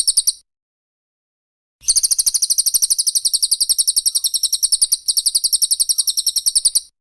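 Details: Cililin or Pelatuk Bawang, recorded as close-fire 'tembakan rapat' training song for cage songbirds: a brief burst of sharp high chips, a pause, then a fast unbroken run of bright, evenly spaced chip notes.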